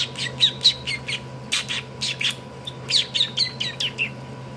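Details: A pet parakeet throwing a hissy fit gives rapid, harsh squawks and scratchy chirps, several per second in uneven bursts, with a faint steady hum behind.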